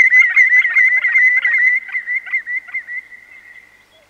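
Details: Close-range Greenshank song in Inverness District, Scotland: a rapid, rolling run of ringing, fluty notes around one steady pitch, slowing and fading over four seconds; a cuckoo and a willow warbler sound in the distance.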